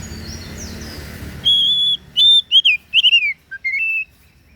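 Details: Oriental magpie-robin song opening with a sustained clear whistle, followed by rapid twisting chirps and downslurred warbles, then two short whistled notes. A soft hiss and faint chatter come before the song.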